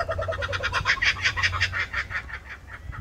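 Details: Laughing kookaburras in Sydney's suburbs: a rapid run of harsh, chuckling notes, about six a second, swelling louder and then tailing off, over a low background hum.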